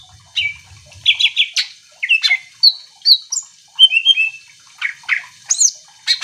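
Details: Greater green leafbird song played to trigger other birds into singing: quick repeated whistled notes, rising slurs and chirps in lively sequence, a low hum only at the start.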